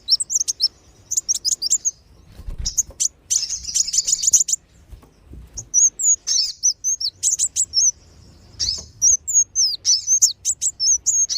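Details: Sunbird lure call, used to draw wild birds down, sunbird types known locally as wulung and sogon: sharp, high chirps and thin slurred whistles in quick bursts, with a dense rapid twittering run in the middle.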